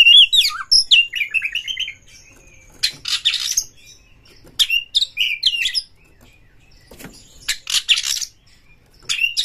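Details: Oriental magpie-robin lure song, used to rouse other magpie-robins and spur tail-spreading: quick whistled notes dropping in a wavy run, then bursts of harsh buzzy chatter and bright rising whistles separated by short pauses.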